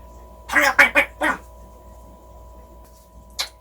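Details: A pet parrot whose pronunciation is improving talks in a burst of four quick, speech-like syllables, then falls quiet. A steady electronic hum runs underneath, and a brief click sounds near the end.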